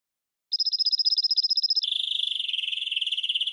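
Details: Hybrid goldfinch × red canary teaching song for training birds: a fast, even, high-pitched trill of about a second, switching to a lower, richer rolling buzzy trill that continues to the end.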